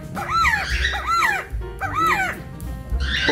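Resplendent Quetzal giving four loud, slurred whistles, each rising then falling, spaced under a second apart, over soft background music.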